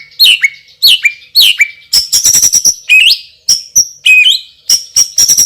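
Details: Champion white-rumped shama, loud and strong, singing its spicy fill: three matching rising whistle-and-slur phrases about every 0.7 seconds, followed by crisp clicking bursts and high piping notes.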